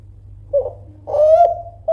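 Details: Kelantan spotted dove, a loud persistent caller meant to provoke rivals: brief coo, a soft low note, then a longer rising coo and the onset of another, over faint steady hum.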